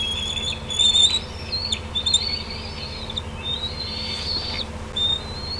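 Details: Bald eagles at the Decorah nest on 18 June 2016, 8:48 PM CDT, as a parent lands on an outer limb and two juveniles follow. High, thin whistled notes are drawn out and slurred, some rising, with a steady low hum beneath.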